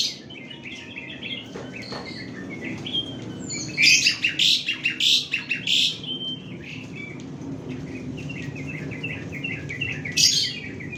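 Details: Song of an Asian pied starling: harsh chattering bursts and brief whistles rising out of heavy continuous background noise, loudest around the middle, with softer repeated notes after.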